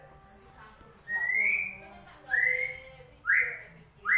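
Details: Lure to get a white-rumped shama singing again: a high thin whistle, then four clear rising whistled notes spaced about one second apart, each swelling and fading.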